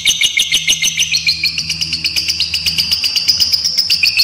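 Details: Long ngekek trill of a fighter lovebird, a lure and tutor recording for young birds: fast, even stream of shrill chirps rising slightly in pitch toward the end, a low mechanical hum faintly beneath.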